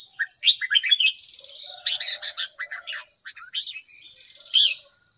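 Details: Red-whiskered bulbul, recorded for voice training of caged birds, delivering lively chirping, warbled phrases in quick clusters, with a continuous high hiss in the background.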